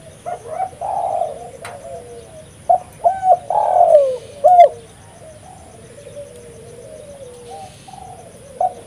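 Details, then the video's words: Spotted dove singing vigorously, a recording meant for luring wild doves; a cluster of soft, hollow coos with rising and falling notes over about four seconds, then quiet with faint trailing coos. "suara burung tekukur gacor"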